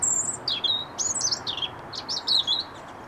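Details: Autumn song of a European robin at RSPB Rainham Marshes on 8 October 2016: a run of very high, sweet notes with quick descending slurs and tinkling trills in rapid succession, against a soft low rumble.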